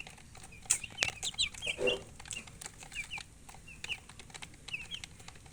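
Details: Chickens chirping: short, high, downward-sliding peeps in loose bursts, with clicking and tapping noises between them and a low background hum.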